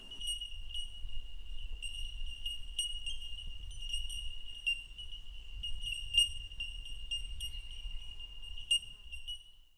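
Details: Bell birds, or Bell Miners, highly territorial olive green birds heard in open eucalypt woodland up the Great Dividing Range: a continuous ringing chorus of pure, bell-like pings, several birds overlapping, with low wind rumble beneath.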